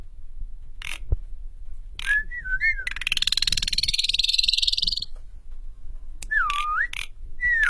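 An Asian pied starling sings a varied phrase: sharp clicks and wavering mid-pitched whistles around a two-second harsh, pulsing rattle that rises in pitch, over low background rumble.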